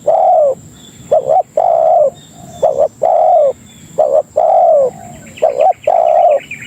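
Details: Spotted dove (tekukur) lure call used to attract other doves: mellow low coos, a quick double note followed by a long, slightly falling drawn-out coo, repeated about forty times a minute. A faint high tone runs steadily behind.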